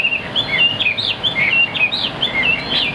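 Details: Chinese hwamei in a cage singing clear, bright whistles, each note bending sharply up or down, delivered in a quick, rhythmic string with little background noise.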